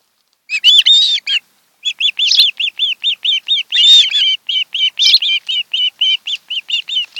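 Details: Long chain of high, slurred, arched whistles from an osprey pair nesting on Kent Island, Maryland, on a July 2018 afternoon. The notes come roughly four per second with a few harsher overlapping notes.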